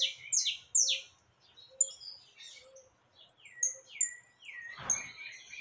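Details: Saffron finch, called canário caboclo, singing a lot among free birds: bright high whistled notes and downslurred sweeps in quick irregular phrases, with a brief noisy burst near the end.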